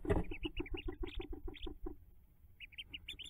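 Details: Hooded merganser during the ducklings' jump from the nest on May 5, 2024: a bump, then quick low pulsed notes with high peeps, fading into scattered peeping alone.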